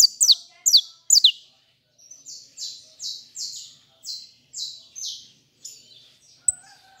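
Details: Captive saffron finch opens with loud paired notes dropping in pitch, then settles into a rhythmic series of flat, buzzy high phrases roughly two per second, trailing off quietly.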